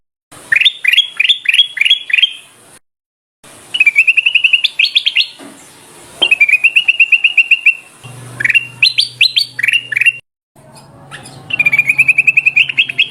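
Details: Sooty-headed bulbul calls used as a bird lure: bursts of bright, bubbly upward-sweeping whistles alternate with fast rolling trills, in several sections broken by brief silences, with a low hum at times.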